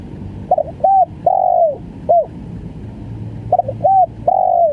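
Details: Spotted dove of the stuttering 'gagap' type cooing: a quick double note, a short coo and a long falling drawn-out coo, then a brief note, with the phrase starting again after a pause; faint low hum beneath.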